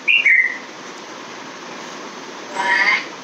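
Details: A male pet African grey parrot gives two quick clear whistles stepping down in pitch, then a short speech-like syllable after a brief pause, just before counting "one, two, three, four, five" aloud.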